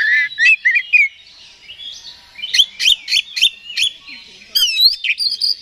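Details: Kacer, or oriental magpie-robin, song used to provoke another bird: rich warbled phrases, then a run of sharp repeated chips about four per second, ending in a rising whistled flourish.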